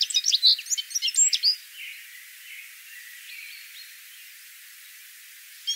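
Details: Citril finch (Serinus citrinella), song.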